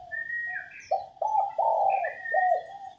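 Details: Hen spotted dove coo meant to stir males to sing: a series of deep, warm coo notes building to a long sustained one and a falling final note, while another bird whistles steady, thin tones throughout.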